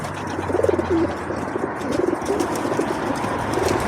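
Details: Feral pigeons at a balcony bird table during feeding, squabbling among themselves; a short series of soft, throaty rolling coos, several in quick succession, over faint urban background noise.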